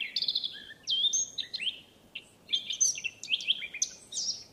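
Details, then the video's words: A free-living Eurasian blackcap delivers quick bursts of bright, tumbling warbled phrases, high and squeaky, in two main runs separated by a short pause over a quiet background. "chant & cri de la fauvette à tête noire HD - song & call eurasian blackcap"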